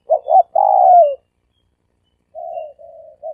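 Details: Dove calling in the three-coo style used for luring: two short coos and a long falling coo, then after a silence a softer, hoarser set of three lower coos.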